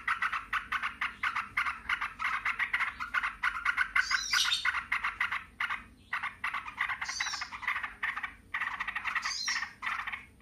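Several yellow-vented bulbuls chatter and answer one another in dense, rapid bubbling phrases, with sharper higher notes breaking through now and then.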